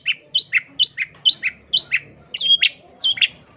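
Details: Long-tailed shrike in full song, used as a master recording for training songbirds: sharp high chirps paired with upslurred whistles, repeated about twice a second, over a faint low hum.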